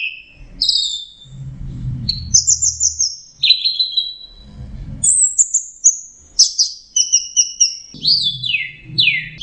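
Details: Song of an orange-headed thrush, used to coax stressed, silent birds into singing: varied high whistled and slurred phrases, some falling sharply and some trilled, broken by short gaps of low rumbling background noise.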